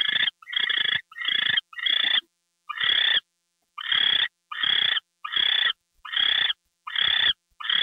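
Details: Owl on February 2, 2013 at 10:43 PM with a gopher being delivered: a series of short, harsh hissing screeches, quick at first, then steadier after a brief pause.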